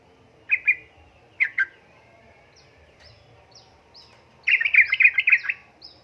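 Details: A female sooty-headed bulbul in breeding condition calls to a male with two doubled chirps, then a fast chattering burst of about ten rapid notes in the ngeriwik ropel style.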